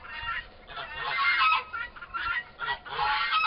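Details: Loud, dense run of grating, buzzy calls from two young turkey toms about four months old as they fight, with brief breaks between rough bursts.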